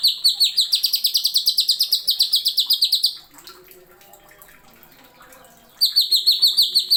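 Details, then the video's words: Greater green leafbird, known locally as cucak ijo, singing a masteran tutor phrase: a three-second rapid series of ringing, slightly falling whistles, then silence before the same fast series resumes. "MASTERAN.CUCAK IJO NEMBAK ISIAN TAJAM."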